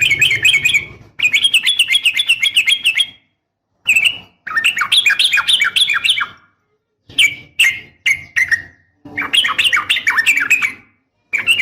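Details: A female yellow-vented bulbul calling a male, played as a lure for caged birds: chattering runs of rising, bubbling notes, broken by short gaps and scattered single chirps.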